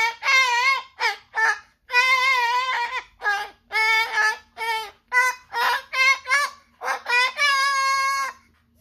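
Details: A pet umbrella cockatoo singing and serenading, with rough, wavering, nasal notes in bursts of about a second, some drawn out into longer quavering phrases, in a quiet room.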